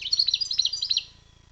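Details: Short fragment of wild European goldfinch song: a fast run of high, tinkling, bouncing chirps lasting about one second, then fading out.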